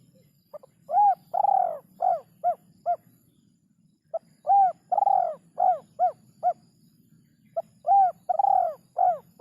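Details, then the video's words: Spotted dove singing a rhythm said to be very hard to find: three phrases of mellow, arched coos near 700, each opening with a short note, then a long drawn coo and quick descending notes, over a steady low hum. "Burung Derkuku Iramanya Yg Sangat Susah Di Temukan"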